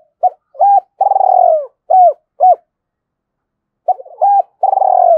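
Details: Spotted dove call used to lure birds: short, clipped coos and longer purring, rolling notes in a low band, two bursts of the coo phrase separated by a two-second pause, no background noise.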